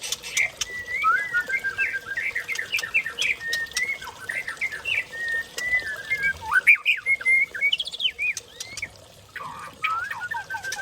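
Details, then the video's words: White-rumped shama of the Aceh type from Lamno forest, Aceh Jaya, singing a rich, fast run of varied whistled phrases: looping, slurred notes that rise and fall almost without pause, with a brief lull before a final burst. "Murai Aceh Pasang Muda Hutan Lamno Aceh Jaya"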